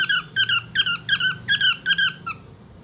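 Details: Cockatiel indoors in a small room, giving a run of seven bright, squeaky chirps about every third of a second, each note rich in overtones and falling slightly, then one last shorter chirp.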